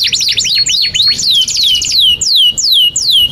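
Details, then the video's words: Canary singing long 'gacor' master song for young and silent canaries: quick tangled trills of high notes, then clear downslurred whistles repeated about every half second, each dropping sharply. "Kenari GACOR PANJANG INI Cocok untuk Masteran KENARI PAUD dan Kenari Macet"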